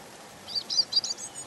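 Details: European robin singing: a short, faint, high phrase of quick thin notes in the second half, over a steady background hiss.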